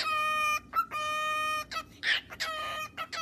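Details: Male pet cockatiel singing to his feathers; long, steady, clear whistled notes rich in overtones, broken by short chirps and a brief scratchy burst, with a faint murmur in the background.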